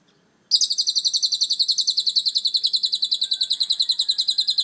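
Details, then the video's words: After half a second of silence, a lovebird launches into its long ngekek chatter with a cililin-style fill-in, a steady machine-gun run of high, shrill, buzzy notes that continues evenly to the end. "Burung Lovebird ngekek rasa cililin mantab abis"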